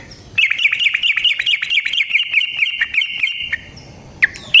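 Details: Yellow-vented bulbul in long rolling fighting song, used to train birds and to prompt them to answer: a continuous rapid string of bright chattering notes lasting about three seconds, then quiet with a few sharp calls.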